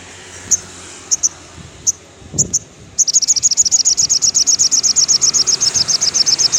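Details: Afternoon song of a crimson sunbird, played to encourage caged birds: a few scattered high ticks over faint background hiss, then a long, steady, rapid trill of thin, very high repeated notes running to the end.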